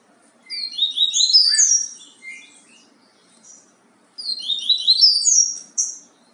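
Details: Bahia-style song of a yellow-bellied seedeater, given twice: each phrase a quick jumble of high, sliding whistles and buzzy trills about a second and a half long, separated by a few seconds of near silence.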